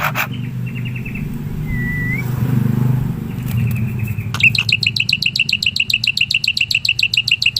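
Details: Wild black-winged myna heard as a lure recording: a faint rattle and one rising whistle over rumbling traffic, then a loud rapid series of sharp chirps repeated about four times a second.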